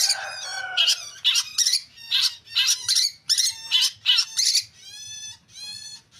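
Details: Long-tailed shrike singing a dense, harsh, chattering song of rapid scratchy bursts. About twelve bursts arrive in quick succession, then a run of thinner, squeaky, whistle-like notes toward the end, with no other clear sounds.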